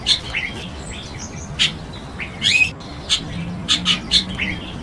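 Chestnut-tailed starling giving short, high chirps and squeaky notes in irregular bursts, with brief mewing slurs between them; a faint low hum runs underneath.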